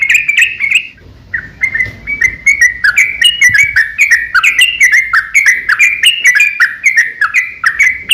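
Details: Lively yellow-vented bulbul in a long, rapid fighting song meant to trigger other bulbuls into singing; a brief pause after the first second, then continuous rolling, slurred chirps in quick succession.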